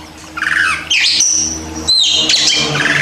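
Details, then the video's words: White-rumped shama master song for training birds that rarely sing: loud whistled notes with rising and falling sweeps, separated by short gaps, over steady low hum. "TERAPI Masteran Dasar Kacer Untuk Burung Yang Susah Bunyi Dan Suka Nangkur"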